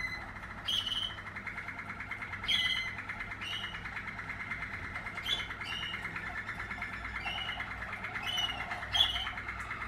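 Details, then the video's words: Singing Waterslager canary from a 2020 strain, giving brief clear whistled phrases every second or two above a continuous buzzing, rolling trill in the background. "Waterslager 2020 stam"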